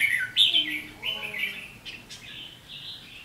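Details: Red-whiskered bulbul giving a fighting 'ché' song at a trapping set with a decoy bird, 7 July 2016: short bright warbled phrases, a loud burst near the start and quieter slurred notes after, with faint room-like background.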